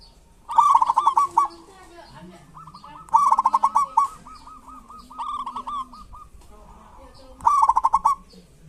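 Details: Local zebra dove from Indonesia, a lure bird to stir quiet doves into song; three loud stuttering bursts of rapid whistled notes, each followed by a long string of even, softer coos over a low hum.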